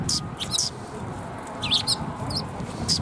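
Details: Sparrows coming to be fed at a shrine in March: scattered bright high chirps and short twittering notes, some overlapping, with low rumbling background noise.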